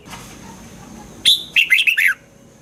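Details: Red-whiskered bulbul song played to excite caged birds in Thailand: one short phrase of four or five bright, slurred whistled notes falling from high to mid pitch, given once over a quiet background.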